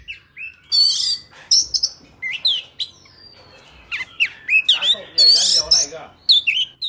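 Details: Oriental magpie-robin forest-style song, recorded for training young birds' voices: rich, varied phrases that mix clear rising and falling whistles with harsher squawky, scratchy notes, delivered in quick irregular bursts.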